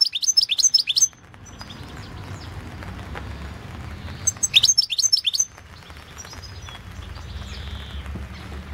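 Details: Competition recording of a European goldfinch from the 2016 world goldfinch song championship: a fast, high tinkling twitter opens, a quiet gap follows, then a second bright burst of chattering notes over steady low hum.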